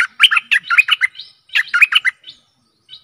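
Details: Stripe-throated bulbul song for decoying aggressive wild birds. Two close, bubbling phrases of rapid, slurred chirps, each under a second long, follow one after the other.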